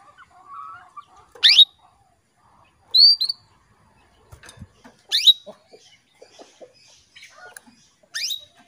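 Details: Female canary calling to stimulate a male into breeding condition: sparse, loud, sharp downslurred tseep notes every one to two seconds, with soft faint chirps between them against a quiet background.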